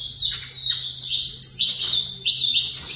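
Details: Saffron finch (canário-da-terra) singing while set facing another bird: rapid bright whistled phrases with sliding notes, fast and somewhat irregular, and a steady low hum underneath.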